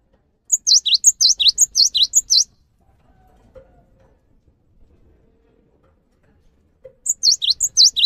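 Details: Two bursts of Cinereous tit song, played to stimulate other birds to sing. Each is a quick series of shrill, alternating high and dipping notes. The first runs about two seconds, then a long pause, then a second burst begins.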